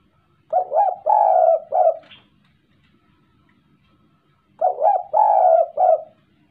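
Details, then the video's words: Courting spotted dove: two bursts of low, hollow cooing, each a quick run of three or four coos with a longer drawn middle note, about four seconds apart, in quiet surroundings. "Burung tekukur Sanji..lagi sedang merayu!!"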